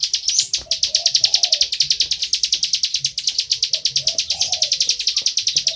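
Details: Plain prinia singing loudly in 'ngebren' style, a dense, fast sequence of buzzy high notes, accompanied by soft recurring dove coos in the background.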